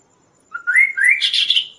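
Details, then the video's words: Kaso-kaso song used as a training and luring recording: quick rising whistled notes climbing in steps, ending in a dense, buzzy chatter higher in pitch, all within under two seconds. "suara Burung Kaso-Kaso gacor"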